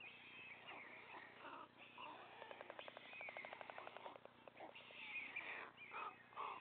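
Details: A white stork father feeding three chicks at the nest; scattered squeaky calls give way to a rapid, regular train of ticking pulses for about a second and a half, then more mewing cries.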